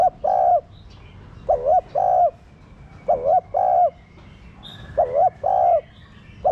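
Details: Spotted dove kept captive as a lure bird to stimulate cooing; four to five paired coos, short dipping note then prolonged level note, repeating steadily, with occasional faint high chirps.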